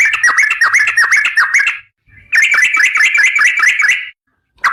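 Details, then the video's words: Trucukan garuda, a sooty-headed bulbul in full 'gacor' voice, delivers the long rapid 'ropel panjang' run: two fast bursts of bright, chirpy whistled notes, several per second, split by a short pause. "SUARA BURUNG TRUCUKAN GACOR"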